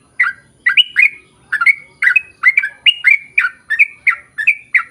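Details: Sooty-headed bulbul song used as a lure to make other birds sing: a steady run of short, loud, bubbly two-note phrases, each a quick rising-falling warble, repeated about every third of a second without pause.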